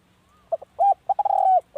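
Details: Spotted dove cooing for decoy use: two soft short notes, a rising hooked coo, then stuttered notes running into a long level coo that fades downward, in a calm, quiet setting.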